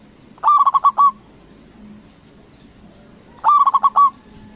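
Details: Big-voiced local zebra dove, used as a lure to get competing doves to call back; two phrases of quick, stammering coos, each five or six notes ending on a held note, three seconds apart, with faint low hum behind.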